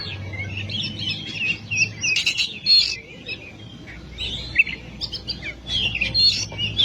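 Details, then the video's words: Oriental magpie-robin song used to stir other cage birds into singing: scattered whistles and scratchy chirps over a low background hum, with a quieter gap in the middle. "Masteran burung Kacer/Klacer gacor dor nembak durasi panjang"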